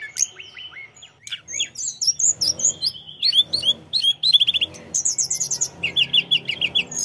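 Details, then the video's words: Actively singing Sunda robin delivers dense bursts of high chirps and whistled trills, the phrases coming in quick repeated pulses with few gaps. "Tledekan gunung gacor"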